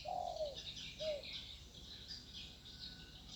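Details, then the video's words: Spotted dove in a peaceful natural setting giving a drawn-out coo followed by a shorter one, with continuous shrill insect buzzing behind. "dengar burung tekukur di alam suasana damai"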